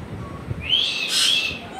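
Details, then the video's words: African grey parrot kept as a pet producing a brief rising whistle that flattens out, followed by a short rasping burst, heard between an owner's spoken questions. "my african gray parrot sounds making"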